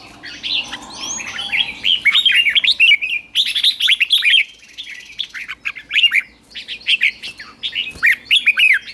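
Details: Red-whiskered bulbul kept in a cage, trained for morning song in the ché style; a long run of fast, liquid whistled notes chained together, swooping up and down, with short gaps between the busiest stretches.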